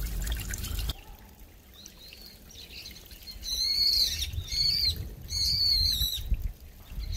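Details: Brown-eared bulbul, a very noisy grey resident bird, beside a trickling mountain stream in a park in late autumn in South Korea; after a sharp knock, three shrill, squealing calls, each wavering and then dropping, over running water.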